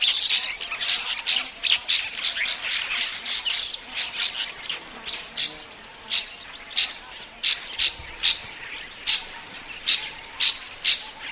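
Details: Common starling singing a rambling medley of chatter and squeaky notes, ending in a regular series of sharp, dry clicks about every half second.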